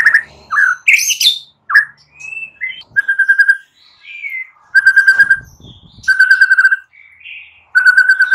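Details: White-rumped shama morning song, played to stir silent birds into singing: rich whistled phrases and sweeping notes, then repeated bursts of rapid steady notes around mid pitch, each lasting under a second with short pauses between.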